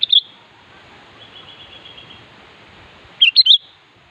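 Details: Sooty-headed bulbul song aimed at a rival: a brief whistled phrase, a faint distant series of thin repeated notes, then a louder three-note bubbly phrase after a three-second pause.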